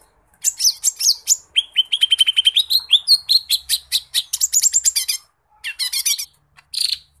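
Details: Lesser green leafbird (cucak ijo mini) pouring out energetic song with varied fill-in phrases. A long fast run of chirps and rising whistled notes is followed by buzzy rattles and a few sharp calls.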